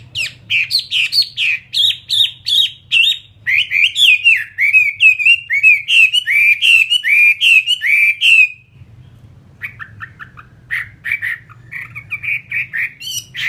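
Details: Captive Chinese hwamei of fighting type singing bright, strong whistled phrases in quick succession for eight seconds, each note bending up and down. After a brief pause, softer, scratchier notes resume against a low hum.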